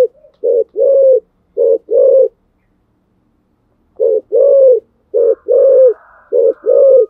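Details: Spotted dove giving Thổ Sấm-style coaxing coos meant to provoke another dove to sing: low short-then-long coo pairs, a silent gap of nearly two seconds, then three more pairs and a faint thin whistle.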